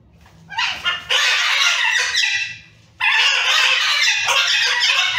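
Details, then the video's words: Wild macaws fighting each other, several birds teaming up: harsh, raucous screeches with rich overtones, a short burst then a long sustained squawk, a brief pause, then another loud drawn-out rasping scream. "Angry Parrots Fighting"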